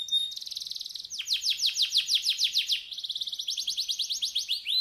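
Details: Canary master song played to stimulate singing: opens with a thin steady whistle and fine trill, then bursts of quick descending sweeps alternating with dense rolling trills, high and clear.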